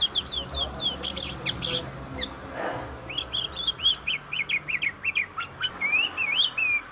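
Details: Oriental magpie-robin (kacer), a black-and-white Indonesian songbird: rich continuous song of rapid whistled rising and falling notes, quick trills and a few harsh raspy bursts early on, delivered almost without pause.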